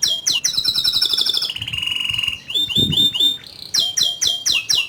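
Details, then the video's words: Canary in lively song with rolls and high shots: a rapid high trill drops into a lower buzzy roll, then a run of sliding notes and a string of loud, high, falling chirps. "Kenari Gacor Ngerol Nembak Suara Kicauan nya ISTIMEWA"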